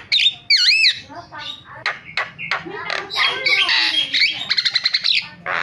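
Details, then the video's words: Starling calling intended as a lure for silent starlings: sharp looping whistles open, followed by scratchy squawks, a noisy rasping passage and a fast run of clicking pulses near the end. "MASTERAN JALAK SUARANYA BIKIN JALAK PADA TERIAK"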